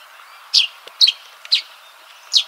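Yellow-throated sparrow giving four short, sharp chirps, falling slightly in pitch, spaced about half a second apart over a faint background hiss.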